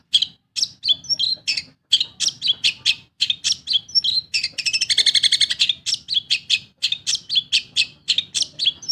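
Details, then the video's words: Long-tailed shrike, a pet bird, in energetic lure song meant to set silent birds singing: dense varied chattering notes and chirps in quick bursts, including a fast buzzy trill midway, low background hum. "SUARA PENTET GACOR. BUAT PANCINGAN burung MANDEG BUNYi"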